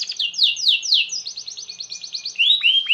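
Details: Long-singing 'gacor' canary, used to set off other canaries: a run of fast, evenly repeated down-sweeping slurs speeds into a tight rolling trill, ending in two rising-then-falling whistled notes.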